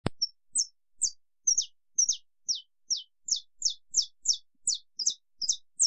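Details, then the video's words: Saffron finch (canário-da-terra) singing the estalo-style long song: a brisk series of high, sharp downslurred notes, roughly two or three per second, after a single loud click at the start; otherwise clean, without background noise. "Canto canário-da-terra estalo canto longo"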